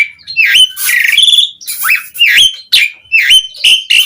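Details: Asian pied starling in full song, used to lure other starlings into answering: loud, varied whistles and harsh rasping notes, with rising and falling slurred phrases delivered in quick succession and brief gaps between.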